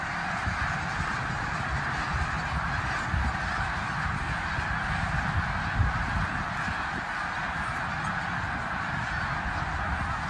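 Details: A vast flock of thousands of migrating snow geese at Bath, eastern Pennsylvania, on 19 January 2021 makes a steady, unbroken din of overlapping high, barking honks, over a low rumble of wind.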